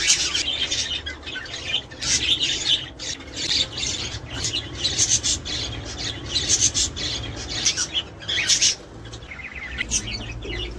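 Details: Budgerigar chatter used to encourage breeding: raspy squawks and scratchy warbling in loose bursts, dropping quieter near the end, over a constant low hum.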